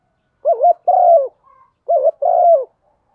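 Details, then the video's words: Hen spotted dove's stimulating coo for rousing a male: two phrases of a wavering note followed by a long, level, hollow coo, with a faint thin whistle between them. "Tiếng chim cu gáy MÁI kích trống, chim cu mái thúc gù"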